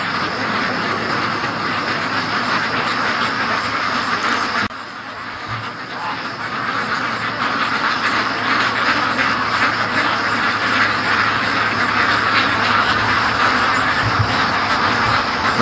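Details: A large free-range duck flock rushing home from the lake, calling en masse: thick, unbroken quacking chatter from many birds at once, with a short dip in loudness partway through and low thumps underneath.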